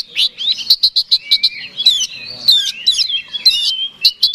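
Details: Oriental magpie-robin singing a fighting song to provoke a rival: a steady run of about eight sharp chips, then flowing whistled warbles and slides, ending with more chips.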